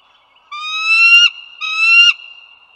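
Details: Two long, rising, reedy calls from bald eagles at the Dulles Greenway, Virginia, recorded 16 April 2022 at 08:55, each ending abruptly, with a faint steady high tone underneath.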